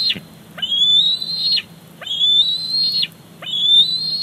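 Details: At Big Bear Lake, an eaglet begs loudly with high squeeing whistles while its mother brings in a fish: three long, slightly rising notes, each ending in an abrupt downward slur, about one per second and a half.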